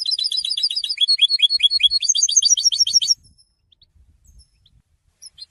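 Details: Goldfinch song used for song training, said to announce presence and attract females: about three seconds of rapid, high, twittering notes repeated several times a second, then near silence with faint low thumps.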